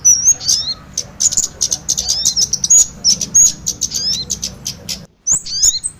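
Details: Trapping lure mixing kemade and sogon bird calls: busy high-pitched twitters and short downslurred whistles in irregular bursts, a near-silent gap near the end, then more chirping resumes.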